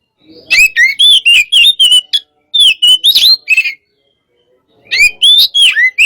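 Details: Caged white-rumped shama, hot type, sparring: short bursts of clear whistled slurs and sharp notes, about four per second, broken by pauses of silence.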